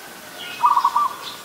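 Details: Zebra dove, adult, Ubon Ratchathani, Thailand, 24 December 2020; a single brisk phrase of rapid, stuttering soft coo notes breaking into a brief second burst, with quiet background.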